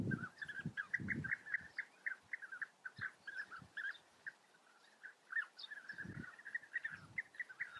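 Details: European bee-eaters in the Eifel, Germany, give a steady chatter of short, rolling mid-pitched calls, several birds overlapping, with occasional low thumps of wind.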